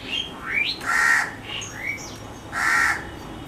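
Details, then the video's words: Asian pied starling, also called pied myna, visiting a backyard early in the morning and calling loudly; a varied mix of whistled rising notes and harsh, broad squawks, two loud rasping bursts standing out. "Singing Pied Myna Wakes Me Up"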